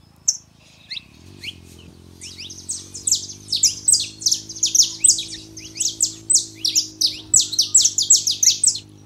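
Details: Male and female saffron finches, used to warm up a quiet canary: a few isolated high chirps, then a dense run of sharp, downward-sweeping high notes about three per second, over a steady low electrical hum.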